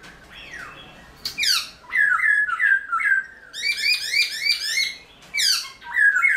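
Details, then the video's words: A caged black-throated laughingthrush sings in early-morning training, a loud, varied run of whistled and slurred notes, with rapid rising and falling phrases repeated in quick bursts over quiet room tone. "Luyện Khướu Bạc Má Hót Sáng Sớm"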